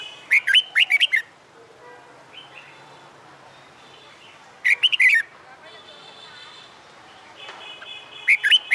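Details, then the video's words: Red-whiskered bulbul in a cage, newly caught and trained for fighting song, sings three phrases of rapid, warbled whistled notes about four seconds apart, over faint hiss and distant chirps. "Luyện Chào Mào Hót Đấu/ chào mào bổi ra giọng sau tháng lồng tay mới/ chào mào luyện hót đấu đầu tay"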